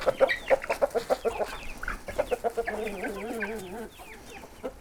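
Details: Farm chickens in Portugal at grape-harvest time, agitated and wanting to be let out, cluck in a fast, overlapping chorus of short clipped notes, breaking into a drawn-out wavering squawk midway.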